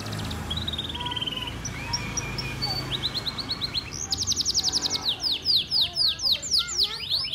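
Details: Male canary singing, described as gacor and melodious: faint high chirps at first, then a loud run of rapid, repeated down-slurred whistles near the end, with a low background hum throughout.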